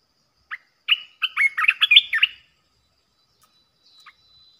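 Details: Fierce red-whiskered bulbul giving a decoy song to provoke other bulbuls: a single sharp note, then a fast, jumbled burst of rich, bubbly whistled notes lasting over a second, followed by quiet and one faint closing note.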